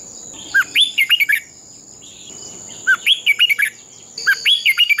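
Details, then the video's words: Red-whiskered bulbul giving a fighting song used to train and stimulate birds to sing. Three bursts of quick, bright, whistled warbling phrases with sharp upslurred and looping notes, separated by pauses, over a steady high-pitched whine. "Chào mào hót đấu"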